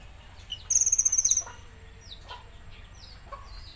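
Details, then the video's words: Konin with a single high, rapid rattling trill of about a second in its 'tembakan kasar' style, followed by thin downward-sliding whistles from other birds and a faint low background hum. "Tembakan Kasar Konin"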